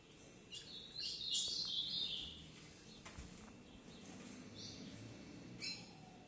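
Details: Captive breeding pair of ultramarine grosbeaks of the harlequin mutation singing the standard "sintonia" song style: a brief warbled, twittering high phrase lasting about a second, followed by scattered clicks and faint chirps over low background hiss.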